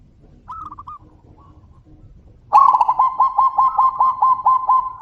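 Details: Zebra doves answering one another loudly. A faint distant trilled phrase comes first. After a pause, a near bird bursts into a long run of about ten fast, evenly pitched cooing notes.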